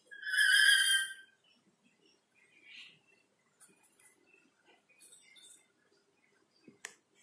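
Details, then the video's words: Black-capped lory singing behind a window: a strong, rich harmonic whistle near the start, followed by faint chirps and small clicks. "BERKICAU DIBALIK JENDELA, BURUNG NURI KEPALA HITAM MERAH MAUNYA BERKICAU TERUS"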